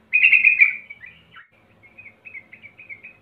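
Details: Yellow-vented bulbul recording used as a lure to get birds singing quickly: a loud burst of rapid bubbly chattering notes opens, then softer scattered short chirps follow at irregular intervals over a faint low hum.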